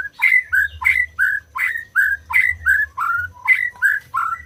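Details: White-rumped shama singing to encourage silent birds: steady, rhythmic loud whistled notes, each a sharp rise then a falling slur, about three per second, with a faint low hum behind.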